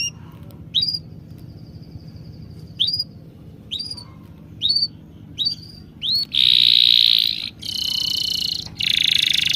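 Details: Bird chirping: several short rising whistled notes every second or so, followed by long loud buzzy trills with a faint thin tone beneath, over low background hum.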